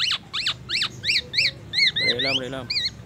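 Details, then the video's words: Black-naped oriole, mimicking magpie robin and ambulance siren: sharp descending chirps, then shorter upturned whistles and a rising slurred note, with a brief low nasal burst partway through. "Kepodang emas gacor bongkar isian murai batu dan suara ambulance"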